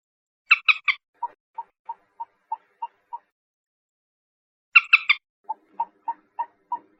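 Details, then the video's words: A common moorhen (Gallinula chloropus) gives three harsh, grating notes, then a run of short, even clucks about three per second; the pattern is heard twice. "SUARA BURUNG MANDAR/PELAN/MANDAR BATU/MOORHEN/GALLINULA CHLOROPUS"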